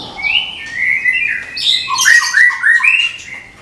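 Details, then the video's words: Caged white-rumped shama from Medan, ready for the contest pole, pouring out a tembakan phrase: rich rising and falling whistles flowing into a busy jumble of quick high notes. "SUARA TEMBAKAN MURAI MEDAN SIAP DIPINANG DI GANTANGAN"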